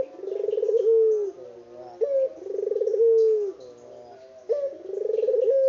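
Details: Vocal local puter dove, unedited: three deep cooing phrases, each a throbbing, pulsed roll that settles into a smooth, sliding final note, with short quiet gaps between them.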